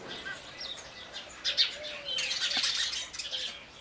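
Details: Busy chatter of house sparrows: quiet scattered chirps at first, then a thick, continuous burst of sharp overlapping tweets from the middle of the recording onward.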